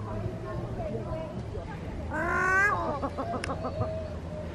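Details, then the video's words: Australian wood ducks at Wollongong Botanic Garden on a sunny winter afternoon: a drawn-out, nasal, rising-and-falling mew, then a quick run of five short clipped notes, over a low murmur of voices. "Wood ducks"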